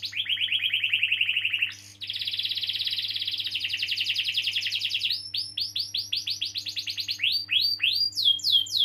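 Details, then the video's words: Rolling canary song played to coax young birds or non-singing canaries: a low dense trill, a short break, a long bright high roll, then separate upslurred whistles speeding up; constant faint hum. "Kenari Gacor Ngeroll panjang || Pancingan Kenari paud atau macet bunyi"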